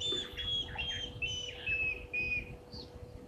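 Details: A spurfowl on the dam wall at a waterhole on Djuma Game Reserve, Sabi Sand, South Africa, about 16:19 on 16 September 2023, gives about seven harsh, squeaky notes roughly half a second apart over a steady low electrical hum.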